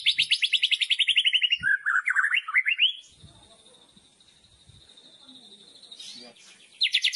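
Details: White-rumped shama in loud kretekan song used to provoke other shamas. A fast, descending rattling trill breaks into jerky warbles, then a thin sustained high note, and another rapid trill starts at the end.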